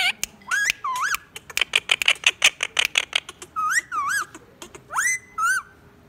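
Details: Indoor talking Indian ringneck parakeet: a burst of dense, rapid clicking chatter in the middle, framed by looping whistled syllables that swoop up and down.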